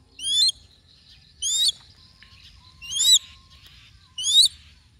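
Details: A hunting crested goshawk gives four shrill, high, quickly rising squeals, each about a third of a second long and spaced just over a second apart, over a quiet background.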